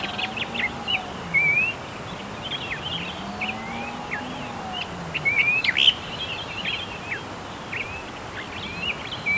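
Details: A little-known bird locally called tektekreyod, from Indonesia, gives a busy run of short, high chirps and squeaky rising whistles, repeated in quick bursts, over a low steady engine hum.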